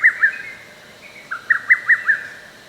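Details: Recorded in a forest park on 15 May 2024, a lesser cuckoo gives brisk, emphatic notes. A short pair of notes is followed by a rapid run of about five punchy staccato notes.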